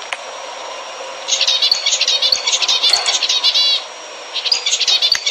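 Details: Zebra finch song for prompting pairs to mate: soft hiss, then a lively run of quick nasal beeps and a rapid buzzy rattle, a pause, and a further short burst of beeping notes.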